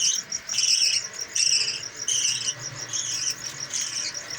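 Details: Budgerigar pair feeding a brood of five chicks in a home aviary: harsh, buzzy bursts of chattering calls, each about half a second long, repeated roughly once a second with short quiet gaps between them.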